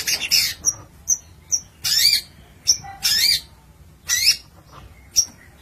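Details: Long-tailed shrike, kept as a cage bird in Indonesia, giving a lively song of harsh scratchy bursts mixed with short clear high whistles, phrases separated by brief pauses.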